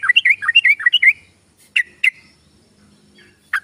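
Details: Short burst of about eight bubbly, liquid whistled notes from a yellow-vented bulbul, meant to stimulate shy birds to sing, followed by a few isolated sharp chirps and quiet gaps.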